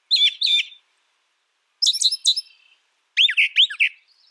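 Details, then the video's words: Brown thrasher singing: a high, bright phrase of two similar chirping notes, then a pause, a buzzy chattering pair, and a final pair of sweeping slurred notes, each phrase delivered about twice; no other sounds. "Brown Thrasher Bird Sound, Bird Song"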